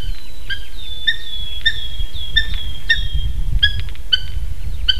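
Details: Eurasian hobby, one of two adults at a nest in Slītere National Park, Latvia, on a June 2021 morning, giving loud, piercing repeated calls about every half second, mixing short clipped notes with drawn-out whistled ones, over low wind-like rumble.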